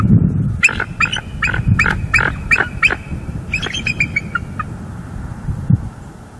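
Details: Nest-cam recording of a mated bald eagle pair in Northeast Florida, October 2022, calling out after a visiting juvenile departed. A string of piercing, evenly spaced chips fades into softer, scattered notes, with low wind-like rumble throughout.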